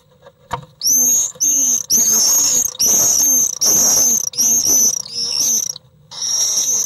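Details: Inside a nest box, common swifts fight after an intruder follows a resident bird carrying nesting material: piercing high screams in long, nearly continuous bursts, eight or so in quick succession, with a click and scraping at the start.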